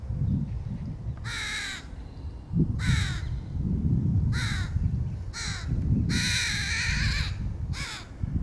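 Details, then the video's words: Crow feeding its young in 2022; a string of harsh, raspy caws of varying length, about six in eight seconds, one drawn out and noisier, over a low rumble of background noise. "Corneille / Crow Feeding the 2022 young"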